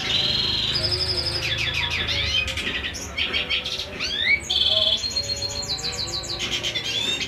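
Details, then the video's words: Male black-hooded siskin sings a fast, unbroken twitter of high notes, mixing quick trills, slurred whistles and buzzy phrases over a faint low hum. "Black hooded siskin pejantan tangguh"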